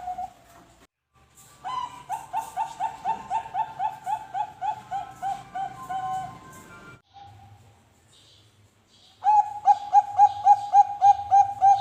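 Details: Bangkok zebra dove lure song for prompting other birds to sing: two bursts of quick, harsh, ringing repeated coos separated by a quiet gap, the recording sounding strained and buzzy.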